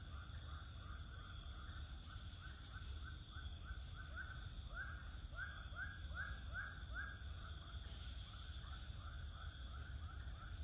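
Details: Swiftlets inside a three-storey swiftlet house in Pekanbaru, their real voices. A steady run of short, mid-pitched chirps repeats rapidly, several each second, under a loud constant electronic hum and high tones.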